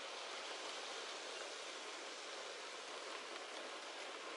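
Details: Steady broadband hiss like rain or rushing water, with no animal calls.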